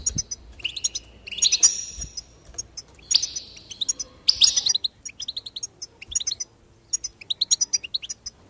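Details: Goldfinch song with busy twittering, harsh buzzy bursts and then a spaced series of crisp chirps, lively and uneven in rhythm, over a quiet background with a couple of low knocks.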